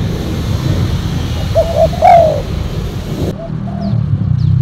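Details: Decoy spotted dove, silver with a black collar, used for luring: a couple of quick coos leading into one louder falling coo, then faint further coos, against steady low-frequency noise.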